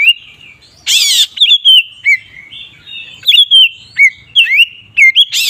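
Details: "Ngeplong" song of an Oriental magpie-robin, meant to rile rival magpie-robins: sweet sliding whistles and chirps in quick bursts, one loud scratchy burst early on, then a steady run of bright whistled notes.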